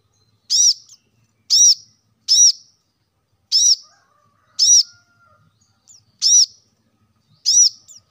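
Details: Plain-throated sunbird (kolibri kelapa, wiceh), recorded as a lure to make lazy caged birds sing: loud, high, ringing arched chirps repeated at irregular intervals of roughly one second, seven in all, with a faint low whistle between.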